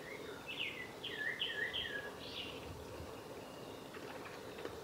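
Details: A male Japanese thrush at a spring near Lake Yamanaka, Japan, on 15 July 2017, gives a quick run of five or six clear, fluty whistled notes, some sliding downward, then falls quiet over a steady background hiss.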